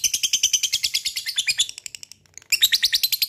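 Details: Lovebird in long 'ngekek' chatter, played as a lure to make other lovebirds sing: rapid high-pitched pulsed trill of about three notes a second, a brief pause near the end, then the chatter resumes.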